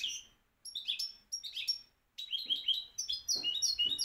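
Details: Goldfinch song after a Moroccan champion: clear high chirps and sweet twittering notes in short phrases with brief pauses, building into a dense, fast run of ringing notes.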